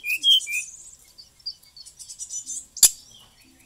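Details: Bali brown-chested jungle flycatcher in lively song full of learned phrases. Bright whistled notes open the song, followed by a fast stream of soft high chatter, broken once by a sharp click.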